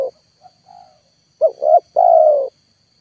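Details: Single spotted dove lure phrase, loud, for trapping birds that will not come down: faint soft notes, then two short rising coos and a sustained falling coo.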